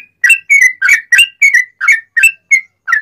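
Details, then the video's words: Sooty-headed bulbul singing as a master and lure for other bulbuls, ngalas ropelan style with straw-headed bulbul phrases: nine bright, slurred whistles, each evenly spaced about a third of a second apart, with no other sounds. "Kicau Trucuk Buka Paruh Langsung Nguplik Nyambung Ngalas Ropelan Nyaring cucak Rowo'an"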